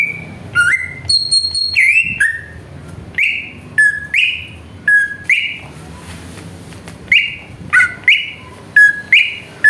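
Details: Greater green leafbird giving a provoking lure song: short whistled phrases, each a pair of bright notes that rise and dip, repeated about every second with brief pauses.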